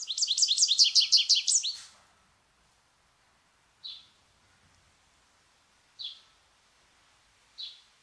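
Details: American goldfinch giving a fast, high, buzzy-bright twitter lasting under two seconds, then three isolated short chirps spaced about two seconds apart in near silence.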